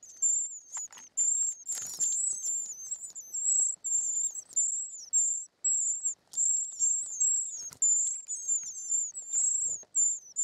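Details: Short-toed treecreeper young calling in the nest during feeding, a nearly unbroken chorus of very high, sibilant, wavering whistles, with a loud scratchy rustle near the start and scattered clicks.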